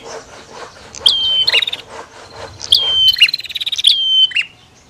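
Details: Bar-winged prinia, female versus male, giving loud high flat whistled notes with a sharp leading flick and fast rattling buzzy pulses, two bursts with a faint noisy background.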